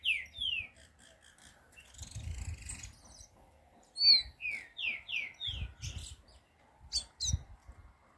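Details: Green-winged saltator song: runs of falling, slurred whistles, a short phrase at the start and a longer series of four to five notes midway, with brief high chips and soft low thumps between phrases.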